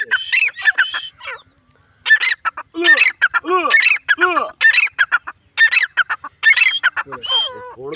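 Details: Grey francolin (Francolinus pondicerianus), possibly female, giving harsh, grating notes in rapid bursts, some arched and rising-falling, pausing briefly before resuming at about one call per second, with laughter nearby.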